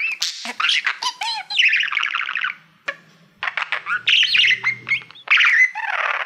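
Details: Male budgie singing to a silver plaque he treats as a mirror, mixing sharp chirps, rolling buzzy trills and whistled notes, a brief lull near the middle, then continued chatter.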